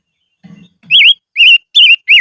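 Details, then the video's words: Silver-eared mesia used as a decoy, singing in the highlands: after a soft low rustle, four clear whistled notes follow in steady succession, each bending up and down. "Chim Ngũ Sắc Mồi Hót Trên Vùng Cao"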